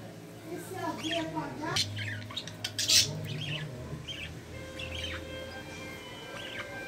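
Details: Mother budgerigar of a green-series pair feeding growing chicks in the nest, one an opaline carrier; harsh squawks and rasping chirps come in uneven bursts, loudest near the middle, with a low hum beneath.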